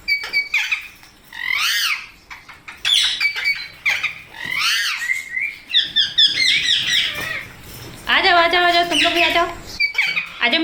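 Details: Flock of Indian parrots, including young birds, crowding in to feed on rice: dense overlapping harsh screeches and chattering squawks, some rapid trilled calls near the end.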